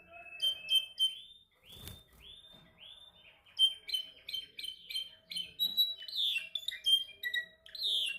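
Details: Pet canary practising its song: a series of repeated rising chirps, a brief flutter or knock, then varied whistled notes, rapid trills and swooping upward sweeps building in energy.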